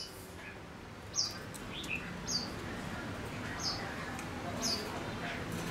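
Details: Male decoy Gouldian finch singing to quickly provoke and lure wild birds: short, sharp, high chirps spaced roughly a second apart, each a brief bright note, over a quiet low rumbling background.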